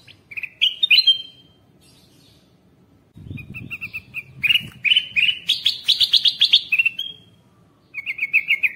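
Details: Bulbul calling on a lure track for wild birds: a whistled rising chirp, a quiet gap, then a long fast run of chirps climbing higher. A final burst of buzzy chatter comes after another pause.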